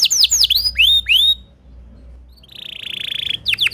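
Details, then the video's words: Timbrado canary singing a melodic song: several swooping downward whistles, a short pause, then a long steady trilled tour and more rapid swoops at the end. "Timbrado canary singing beautiful melodic songs"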